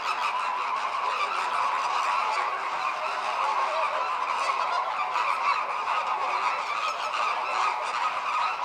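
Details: Group courtship of American flamingos, the birds turning heads in parallel and opening wings to synchronise breeding; loud, constant massed honking and gabbling from the whole flock.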